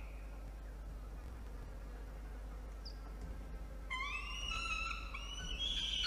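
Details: Peregrine falcon chick in a nest box atop a water tower in Orange, NSW, Australia, protesting as the nest is cleaned, 4:06 PM, 17 November 2021; after quiet hum, a run of high, harmonic wailing calls begins and grows louder.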